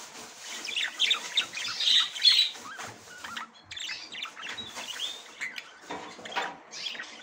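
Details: Female budgerigar trying to enter the nest for the first time. Scratchy, squawky chirps and warbled notes come in quick, uneven bursts, with louder harsh squawks near the start and softer chattering after.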